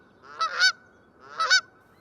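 Canada Goose giving two loud, nasal two-part honks about a second apart, with a faint steady high-pitched hum underneath.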